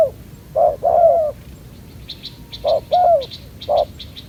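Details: ['Young spotted dove at a ground decoy trap, aggressive though its neck collar is not yet full: scattered deep coos with pauses, while faint high chirps from another bird sound in the background.']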